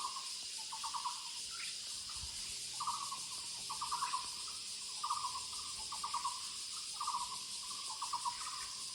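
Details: Woodland recording of a Muller's barbet repeating brief, low, throbbing pulsed notes in uneven runs, some overlapping, over a continuous high insect hum.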